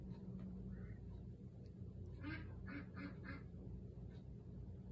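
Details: Fifty-day-old Cayuga ducks on a patio calling for their owner, who is indoors: a quick burst of about four harsh, nasal quacks in the middle, over steady low background rumble.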